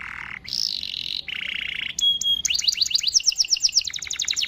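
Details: Canary singing to draw other canaries into song: buzzy, grating passages first, then a pure whistled tone and a fast trill of rapidly repeated high notes.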